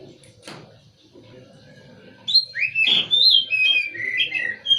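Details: Oriental magpie-robin starting after a quiet stretch with a burst of loud, swooping whistles and slurred phrases, repeated in quick succession over a faint low hum.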